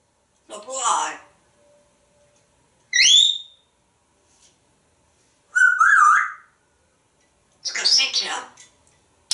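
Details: Talkative male pet African Grey Parrot at home in Texas, hatched 1997, vocalizing in the shower, his favorite place to talk: four separate bursts, a harsh voice-like sound, a sharp rising whistle, a bent whistled note, then a raspy burst, with silence between.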